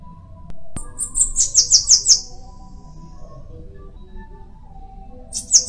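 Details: Bananaquit song, local name cambacica: a brief string of high, sibilant buzzy notes after a click, then quiet, with another burst starting at the end.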